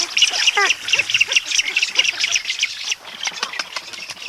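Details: Spoonbills call at close range: adults give hoarse, rising trumpeting notes and food calls over a dense, busy chatter of high, wheezy chick calls repeated rapidly throughout, and an adult flies off.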